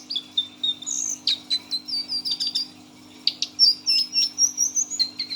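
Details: Six-month-old caged brown Lesser Shortwing giving teler song: drawn-out high whistles broken by sharp chips, a brief pause, then a run of quick repeated notes. A steady low hum is audible.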